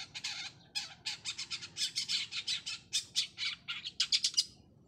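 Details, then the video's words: A long-tailed shrike, spotted 'trotol' form, seeking a challenger: rapid, grating chatter of rasping notes tumbling in a fast, uneven stream, ending with a quick flurry of sharper squawks. "cendet trotol satu titik cari lawan"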